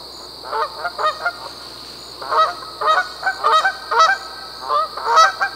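Canada goose giving a loose series of nasal, two-part honks, about ten in five seconds at an uneven pace, over a steady high-pitched background whine.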